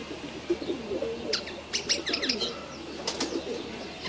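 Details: Young red siskin singing: short bursts of sharp, high twittering notes clustered in two groups, over a steady backdrop of soft, low dove-like cooing.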